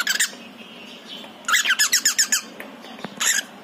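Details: Pied male cockatiel calling to its partner, kept indoors with other cockatiels and budgies: a brief squawk, then a quick run of about eight bright, harmonic chirps with a short gap between each, and a final squawk.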